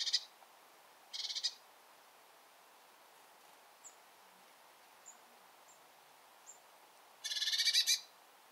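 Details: Bearded reedling in reed beds: a few short harsh buzzy rasping bursts, the last one longer, separated by near silence with faint tiny ticks.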